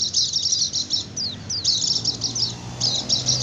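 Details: White-eye singing fast 'ngecir' chatter to attract wild birds: loud runs of high, rapid twittering broken by two sharp downslurred whistles, then further chattering bursts, over a faint low hum.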